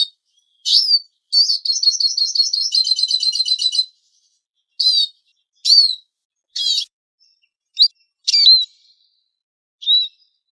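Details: Eurasian siskin lure recording: high whistled calls open into a rapid, buzzy twittering run of repeated notes lasting about two seconds, followed by scattered single chirps and sliding whistles at irregular gaps.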